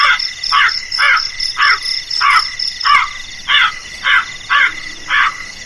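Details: Crow whose voice is called frightening gives about ten harsh caws at a steady pace, with a high insect trill that fades partway through.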